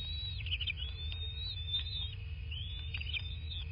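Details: Nest-camera sound from a bald eagle nest in southwest Florida, 13 March 2024, 23:19: long high whistles mixed with quick trilled chirps, two phrases in under four seconds, over continuous low rumble.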